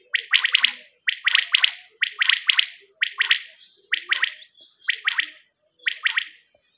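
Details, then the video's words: Common quail calling on a hunting cassette: loud, evenly repeated three-note phrases, each a quick liquid triplet, coming roughly every 0.8 seconds over a steady high background hiss. "نیوبٹیر کی کیسٹ"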